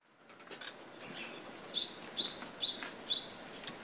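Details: Japanese tit recorded at home on a Nikon Coolpix A900 camera, with home ambience added; a run of high, two-part sharp notes repeated about every third of a second, starting after a faint quiet lead-in.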